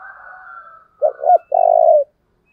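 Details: Decoy spotted dove giving an urging call used to provoke wild doves: two short throaty coos, then one long, low, buzzy purring coo, with faint thin whistles of other birds at the start.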